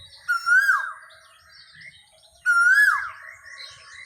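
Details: Asian koel, called cuckoo, gives two clear whistled notes that rise and then fall, roughly two seconds apart, over soft background chirping of other birds.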